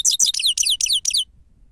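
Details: Grey-crowned goldfinch singing a "sava" lure phrase: six loud, ringing twittered notes with fast downward slurs, delivered in about a second, then quiet.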